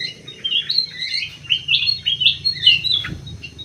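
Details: Common green magpie in an aviary, ringed, giving a continuous warbling stream of slurred whistles and chirps with little pause, over faint low background noise.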